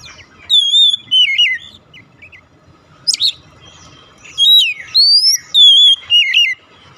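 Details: Oriental magpie-robin song meant to get a mute bird singing: loud clear whistled phrases with slurred ends, a sharp high note, then a longer run of bright rising and falling whistles.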